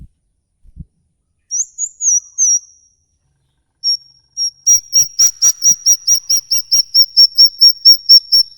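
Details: Songbird giving a long 'ngikik' giggling call, played to prompt pet birds to sing: a high thin whistle slurring up and down, a pause, then a fast run of sharp, evenly spaced high chips, about two per second, steady to the end.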